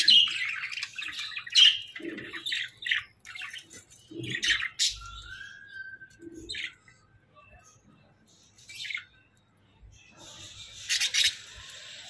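Hagoromo budgerigars chatter in a quick, scratchy warble of high chirps and squawks.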